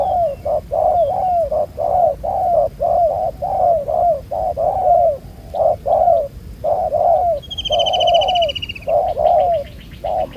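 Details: Wild-caught spotted dove with a black spotted collar, used in ground-decoy trapping and described as cooing well: low cooing notes repeated about once a second in a steady series, with a brief higher whistling bird heard near the end.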